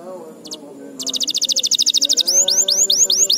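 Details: Canary training song for young birds: a quick high double note, then a fast even trill of about twenty sharp notes, ending in rising whistled sweeps repeated several times. A low voice murmurs underneath.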